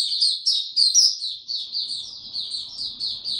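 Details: Lively high twittering from a white-eye in warm, very humid weather, 26 March 2022: quick, sweet chirps tumbling together, strongest at the start and then continuing in a steady pulsing warble.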